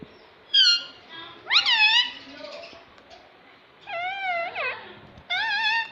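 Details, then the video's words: Talking pet parrot, a parrot that says "mummy mummy", gives four separate nasal, wavering, strongly harmonic phrases over a few seconds, each dipping and rising in pitch, against a faint indoor hum. "Talking parrot - Mummy Mummy Bolne Wala Tota"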